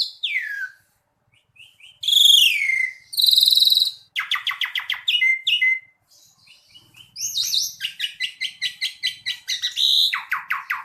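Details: Gacor jalak suren, the Asian pied starling: a swooping whistle, loud grating buzzes, then clicking trills and a fast, pulsing series of sharp chirps.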